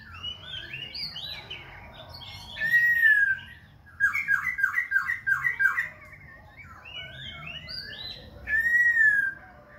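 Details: Khe Sanh laughingthrush singing and dancing, switching voices continuously: rich mixed phrases of warbled and buzzy notes, a bright drawn-out whistle, then a run of rapid choppy notes and another long clear whistle near the end.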